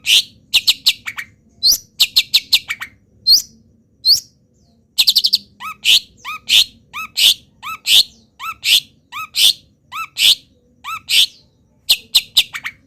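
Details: Long-tailed shrike, a local bird in molt, singing a dense medley of wild bird mimicry: clusters of fast high chips, then a long run of paired curving chirps and harsh notes, roughly two per second.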